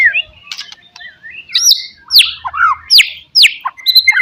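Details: White-rumped shama lure song against rivals: scattered chirps leading into loud, sweeping downslurred whistles repeated about twice a second, ending with quick high notes.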